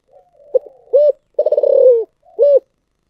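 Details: Spotted dove calling in the 'giọng thổ sấm' (thunder-earth voice) style: low hollow coos, then a rapid rolling, stuttered coo that quickens and slides down, ending on one more steady coo; clean background, no other sounds.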